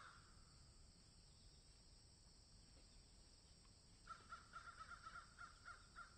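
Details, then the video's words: After several seconds of quiet field ambience, crows in a field break into a rapid run of short, clipped caw notes, about a dozen in quick succession. "Crows Caw in Field"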